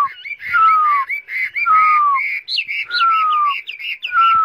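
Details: A caged, tamed Chinese hwamei carried in its cage gives loud, rich song: long falling whistles about every second, overlapped by warbled, looping phrases that grow more varied toward the end.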